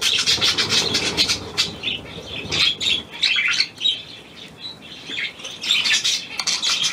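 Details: New hand-tame pied budgerigar, recorded 17 February 2023, uttering short bursts of high scratchy twitters separated by brief gaps, some faint low muffled sounds at first.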